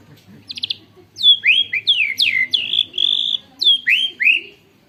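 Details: White-rumped shama kept as a cage bird with canary-imitation filling: short buzzy burst followed by loud, rich, swooping whistled notes falling and rising, in a clear varied phrase, recorded on a phone.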